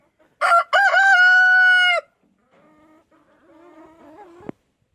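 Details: Waking rooster crowing at a foggy, cold, wet dawn: a loud, strained cock-a-doodle-doo held for over a second, followed by softer, wavering calls and a sharp click at the end.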